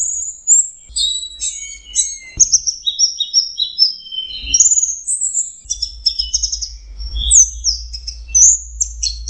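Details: In full 'teler' song, an Orange-headed thrush pours out high whistled phrases, some drawn-out and level, others quick and chattering, with a soft steady low hum in the background.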